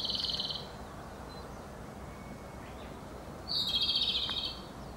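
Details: Japanese robin song: two loud, rapid, high-pitched rattling trills about three seconds apart over a steady low rush like running water.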